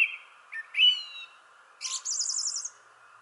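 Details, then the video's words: A thrush sings in a shrubbery tree: a clear whistled phrase with a ringing higher note, then a fast, high buzzy trill under a second long, over a steady low hum. "Thrush Sings in the Shrubbery Tree"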